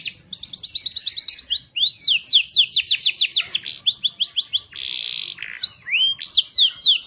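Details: Canary singing as a lure for other birds of its kind: a quick high trill, then series of descending whistled sweeps, a brief buzzy tone, and final rising slurred notes.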